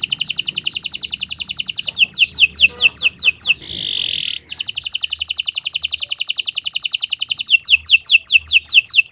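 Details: Canary song for training: a fast buzzy trill, a run of falling slurred whistles, a short harsh held note, then the trill and falling whistles repeat.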